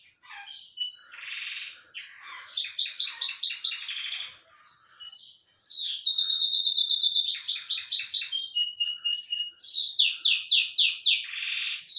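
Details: Belgian canary singing at length while sunbathing: high rapid trills and rolling buzzy series, shifting between fast chattering runs and clear sustained whistled notes, with brief pauses between phrases.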